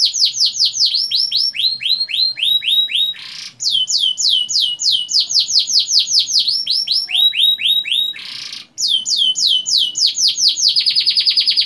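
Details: Long-rolling canary lure song meant to get young canaries singing: continuous rapid series of bright downward-sweeping whistled notes in several runs, split by two short noisy bursts, closing with a steady buzzy roll.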